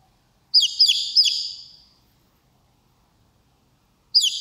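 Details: Baby chickens, cradled in a hand, cry "keech keech" on hearing their mother: a loud run of three high, downward-slurred peeps, a pause, then another burst starting.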